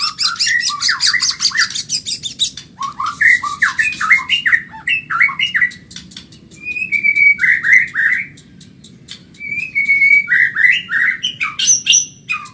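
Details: Caged white-rumped shama from Medan singing rapidly: dense chattering bursts, looping warbled whistles and clicking trills, broken by brief quiet gaps, with phrases repeated in varied form.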